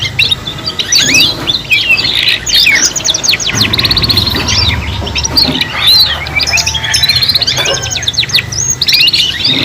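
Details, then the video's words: Three juvenile canaries singing as one group for song training: rolling high trills, quick repeated rattles and sharp whistled slides pour out continuously, densely layered, over a low steady hum. "KENARI PAUD BELAJAR BUNYI BARENG 3 IN 1 | CANARY SINGING"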